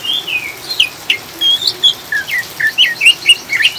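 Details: Oriental magpie-robin chattering song, a lure for stabilising caged birds: a quick series of short slurred whistles and chirps, roughly four per second, rising and falling, over soft rain hiss.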